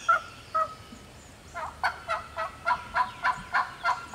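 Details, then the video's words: Lone wild turkey hen in the Georgia woods getting fired up, two spaced yelps followed by a fast, steady run of loud raspy cutting notes, roughly three per second. "Hear that old hen yelping and cutting and clucking like that."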